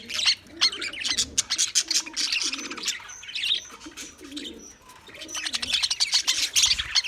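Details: English budgie (budgerigar), recorded February 14, 2024: dense, rapid chatter of sharp high chirps, clicks and short whistled notes, nearly continuous with brief pauses, a few clear tonal whistles mid-clip.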